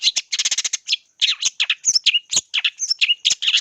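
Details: Energetic long-tailed shrike song for luring birds: a fast rattle of clipped notes, then a jumble of harsh chirps and squeaky whistles with hardly a break.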